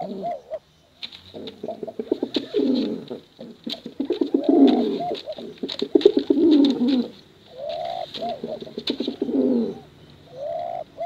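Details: Male and female pigeons in long bekuran competition cooing: several deep, rolling coo phrases separated by brief pauses, with crisp clicking sounds throughout.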